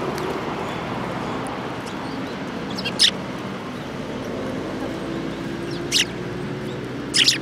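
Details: Sparrows flocking to food at a Tenmangu shrine on 22 January 2018; three brief, sharp high chirps spaced about three seconds apart against constant low rumbling noise.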